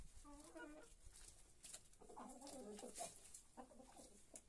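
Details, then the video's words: Hens eating lettuce give soft, harmonic clucking phrases in three short bursts, each lasting under a second, with scattered pecking clicks and rustling between them. "gallinas comiendo lechugas"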